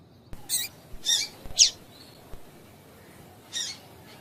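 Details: Calls of a female double-collared seedeater, used to get males singing: a quick run of four high, scratchy chips in the first second and a half, a pause, then one more chip, with faint low taps.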